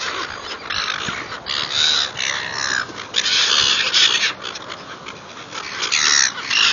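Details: Seagulls calling while being fed: a dense, overlapping chorus of harsh cries that barely pauses, with brief thin whistled notes standing out above the rough squawking.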